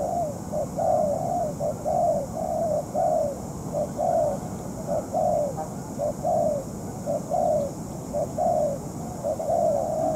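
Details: Ground decoy spotted dove in moult, calling during trapping against a wild bird; continuous rhythmic coos, short notes followed by longer falling ones, roughly once a second, over steady hiss.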